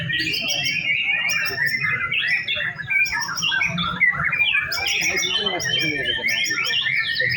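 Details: Afternoon routine contest training for white-rumped shama on hanging poles: loud continuous song of bright whistles, rattling trills and repeated high chips, with faint voices in the background.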